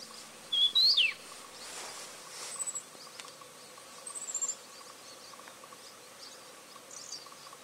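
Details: Daurian redstart, an uncommon winter visitor to Taiwan, recorded at Buluowan in Hualien on 21.02.15. A single loud, sharp whistle slurs up and then drops, followed by a few faint, high chips against a constant hiss.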